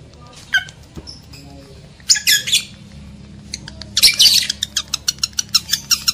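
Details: Harsh lovebird squawks intended to raise breeding urge in males and females: a thin cry, then grating screeches at 2 and 4 seconds, ending in a rapid run of evenly spaced sharp chirps.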